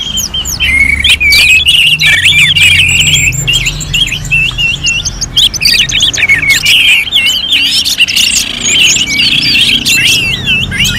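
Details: Orange-headed thrush singing in a contest-simulation recording from Singaraja, North Bali: long run of rapid, jerky whistles and chirps, dense and overlapping, with a steady high warble running through much of it.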